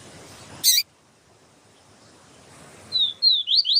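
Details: Double-collared seedeater singing a siu siu teacher melody while a female calls to stimulate the male: a sharp broadband click, a pause, then high slurred whistled notes beginning to run together.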